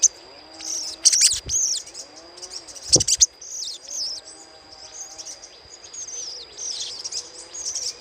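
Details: Little spiderhunter chattering, used as a lure sound: rapid, high, thin twittering notes in quick scratchy bursts, with a few sharp clicks and a steady high whine behind.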